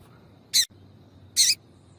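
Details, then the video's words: Female Double-collared seedeater, caged, calling to stimulate a male to sing: two short, high, scratchy chip notes about 0.8 seconds apart against a quiet background. "Piado de Fêmea de Coleiro para Esquentar Coleiro"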